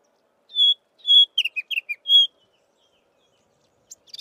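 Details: Chestnut-vented warbler song, melodious: clear sustained high whistles alternating with quick descending slurred notes, ending in another long whistle, then a faint high flourish.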